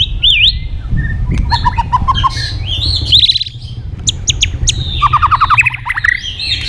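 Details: White-rumped shama provoked to sing in a contest. A twisting high whistle, then short repeated notes, sharp ringing calls and a fast rattling run, with low background rumble.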